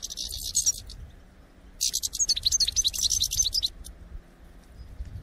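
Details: European goldfinch flock sound for trapping, with a dense buzzy high twitter at first, then a lively run of tinkling chirps and trills before fading to quiet background noise.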